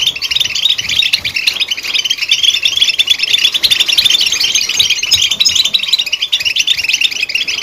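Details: Goldfinch giving a long, unbroken run of bright, high twittering chirps, dense and busy, with tinkling notes overlapping throughout.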